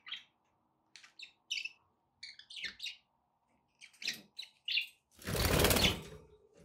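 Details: Domestic budgies make scattered short chirps and warbled notes with pauses between them, then a loud broad rushing noise swamps the final seconds.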